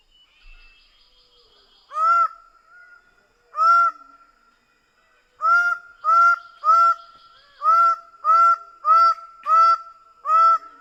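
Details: Greater bird-of-paradise calling loudly: two spaced honking notes, then an accelerating series of about eight harsh, nasal calls roughly every half second.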